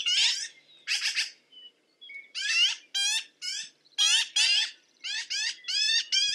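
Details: Black-billed magpie uttering separate harsh, scratchy notes, often in pairs, spaced irregularly with short silences between them.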